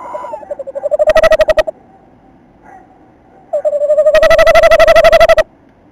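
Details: Tawny owl male at the nest site in late December, female waiting outside the entrance. A short quavering note breaks off, then after a pause a longer rising, rapidly pulsed wavering call follows.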